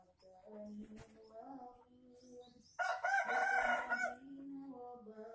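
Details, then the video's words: Junglefowl in Aceh crowing to attract wild birds: a single rasping, broken crow of about one and a half seconds rising out of a background of soft, repeated, flat tonal notes. "Ayam Hutan Aceh # Pikat"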